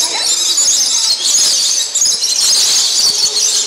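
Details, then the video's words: Lorikeets at an aviary in Niagara Falls, noisy while feeding on nectar: a dense, continuous shrill screeching chorus of many birds, high-pitched and unbroken throughout. "Feeding the Lorikeets"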